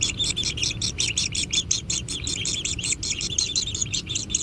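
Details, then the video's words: Hungry kingfisher nestlings at a natural nest give a rapid, buzzy, high-pitched chatter, close to three notes a second, while being fed, with quiet low noise underneath. "Anak Tengkek Diberi Makanan Semakin ExTrim - Natural Kingfisher Bird Nest"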